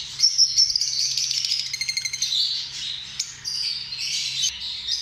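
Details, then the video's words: Lovebirds, small social parrots, giving a continuous high chattering of shrill chirps and buzzy squeaks, with a rapid stuttering trill near the middle; low steady hum underneath. "Amazing sound of love birds"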